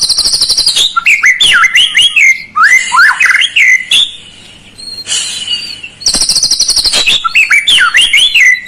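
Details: Shama (murai) song played to encourage a lazy bird to sing: dense high trills alternating with swooping whistled phrases, a quieter buzzy gap, then another burst of rapid trills and whistles.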